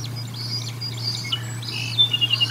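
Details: Drawn-out high whining squeals from a bald eagle at the Decorah North nest while feeding on 1 April 2022, held and wavering, ending in a thin steady whistled tone.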